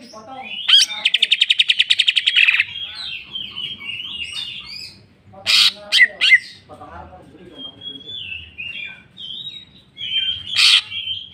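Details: Greater green leafbird in full jamtrok style, unloading its repertoire: a fast buzzy trill of about twenty rapid notes, then loud harsh chips and a run of bright, wavering whistled phrases.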